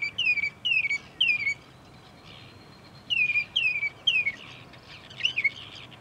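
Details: Northern mockingbird in bushes by a parking lot at Cape May Point, New Jersey, USA, delivering bursts of three clear downslurred whistles, a pause, then another triple set and a brief jumbled phrase.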